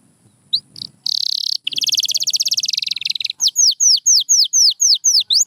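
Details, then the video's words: White canary in song: two short chirps, a dense buzzy burst, a fast rolling trill, then a long even run of arched whistled notes about four per second. "Beautiful Chirping by a Pure White Canary"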